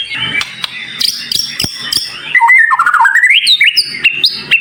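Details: Varied white-rumped shama master song with dense, sharp, high-pitched fill phrases used for training, holding quick chirps and clicks, then a loud run of rising and falling whistles and stepped notes.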